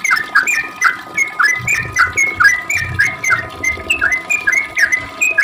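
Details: Long 'ropel' song of a sooty-headed bulbul, played to draw an answer from other bulbuls; quick, slurred two-part whistles repeated in an even chattering run, with faint low hum beneath.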